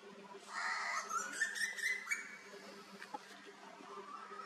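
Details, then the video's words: A male Asian koel gives a harsh, shrill burst of quick chattering notes lasting about a second and a half, then a few sharp clicks over a steady electrical hum. "Koyal ki awaaz /male and female koel bird sound/ cuckoo song"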